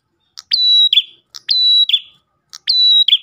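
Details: Ash tailorbird song used as a lure for others of its kind: three evenly spaced phrases of a clipped tick, a level piercing whistle and a quick descending buzzy tail.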